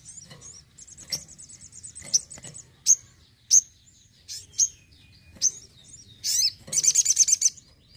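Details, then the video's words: Crimson sunbird singing eagerly at home: a thin, high trill, then sharp, piercing high chips spaced irregularly, and a final fast rattle of bright, very high notes. "SOGON GACOR RUMAHAN"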